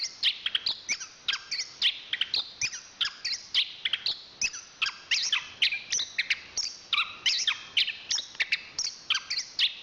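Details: Champion chestnut-capped thrush from Southeast Asian forest stock pouring out a steady stream of high, buzzy chirps and whistled phrases, notes tumbling in quick succession without break.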